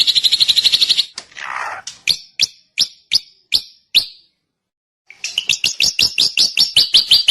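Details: Drongo singing a fast high trill that breaks into a soft rasp, then spaced sharp downslurred chips, a short silence, and a renewed rapid series of clipped high notes.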